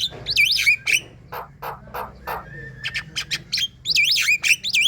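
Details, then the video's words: Javan myna (jalak kebo) in active song to encourage other birds: wavy looping whistles, then rasps and clicks, ending with renewed runs of looped whistled notes. "Ngoceh gacor jalbo mabung~Coba,..Untuk pancingan bunyi Pagi Siang dan Malam hari"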